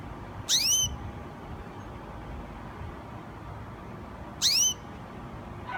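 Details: Young Gloster canary, described as a new singer, dated 07/15/2016: two brief high chirps spaced about four seconds apart, each a fast upward-swept bright note, with soft room hiss between them.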